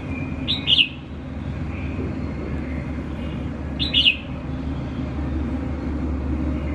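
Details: Red-whiskered bulbul, tamed within a week and unafraid of people, sings two quick whistled phrases about three seconds apart, each a bright rising-falling note pair, with steady traffic-like rumble beneath.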